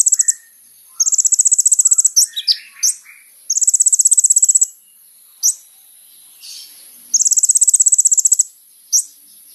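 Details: Olive-backed Sunbird singing vigorously, recorded for use as a lure to draw a response from other birds: long, very high, fast trills alternating with single sharp chips and brief twittering notes.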